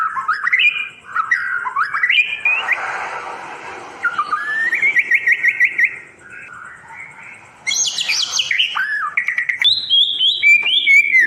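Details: Tutor recording for murai batu, the white-rumped shama, meant to restart birds that went quiet: a long, varied run of whistles, rapid chattering trills and sweeping slurred notes that keeps going with hardly any break.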